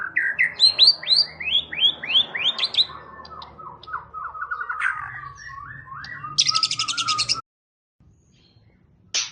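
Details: Champion competition white-rumped shama singing a fast series of rising whistled notes, then a lower run of quick repeated slurred notes, ending in a harsh buzzy rattle before the sound cuts off.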